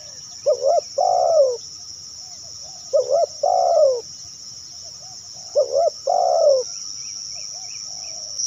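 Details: Spotted dove giving its cooing call to attract other doves, three paired phrases of a short rising coo and a longer sliding-down coo, over a steady high insect hum and a few faint chirps.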